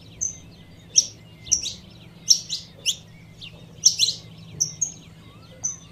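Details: Female saffron finch calls that stir the male, a mix of short high whistles and harsher chirps spaced about half a second to a second apart, with a quiet low hum.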